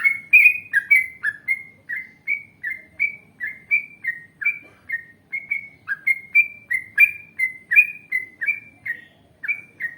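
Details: Yellow-vented bulbul, a chatty trucukan singing long ropel phrases, used as a lure for other bulbuls: steady, rhythmic bubbling whistled notes, roughly two per second, continuing without pause.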